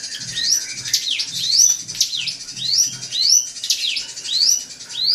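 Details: Drongo provoking a rival with song: loud rising whistles alternating with fast down-up slurred notes, repeated in an uneven rhythm, with a soft low murmur behind.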